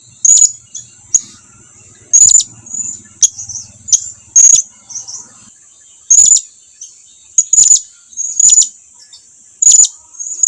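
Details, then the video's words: Blue-crowned hanging parrot calling companions to approach, a loud, persistent series of sharp, very high chirps, mostly single notes about one second apart, some slightly slurred. "suara serindit lagi memanggil kawannya agar datang mendekat"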